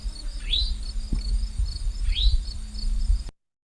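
An Eastern Towhee gives two rising, slurred 'chewink' calls about a second and a half apart. Faint high insect-like trills and low rumble sit underneath.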